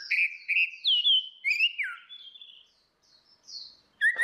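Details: Orange-headed thrushes, female and male, singing ngeplong to lure a bird that will not sing: sweet swooping whistles that rise and fall, fading into faint high notes before a sharp final call.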